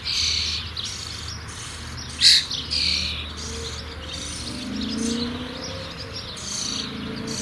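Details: Nearly fledged young common starlings make a hissing, scratchy chorus, with one sharp, loud screech near the middle and softer rasping before and after, over a faint low drone.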